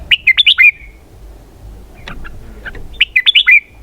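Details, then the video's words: Red-whiskered bulbul singing in the 'xoắn kép' (double twist) style: a quick phrase of five loud, twisting whistled notes ending in a drawn-out slur, softer scattered notes, then the same phrase repeated about three seconds later. "giọng hay cực xoắn kép"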